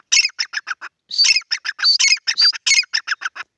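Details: A pair of grey francolins in a field gives loud, harsh, squeaky notes in two fast bursts, about five or six notes a second, rising and shrill, with no other sounds behind them.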